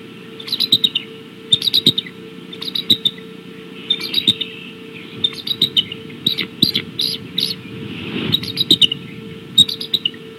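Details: High, thin, squealing chatter from the Decorah bald eagles, evening of 17 March 2016. Clusters of piping notes come roughly every second, with a few longer runs of rapid squeaks and a faint background hum.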